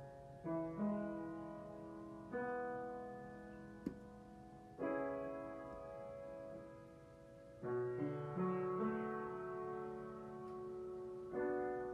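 Solo piano music plays throughout, slow sustained chords and notes with no animal sound heard.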